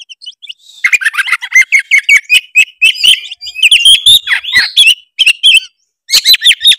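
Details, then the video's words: Oriental magpie-robin, Tretes type, lure song with many mimicked fills meant to provoke rivals; soft whistles open into a fast, rattling stream of chips and warbles, then a short pause and renewed chattering. "pancingan kacer tretes gacor full isian bikin lawan auto emosi denger suara kacer tretes satu ini"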